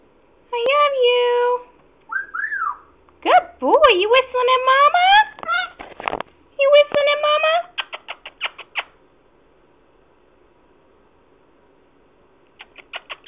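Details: Male African grey parrot, 16 and a half weeks old, kept as a pet indoors, whistling. He gives bright, harmonic whistles that rise and fall, some swooping up, in bursts about a second long. These are followed by quick clicking pulses, with soft background hum.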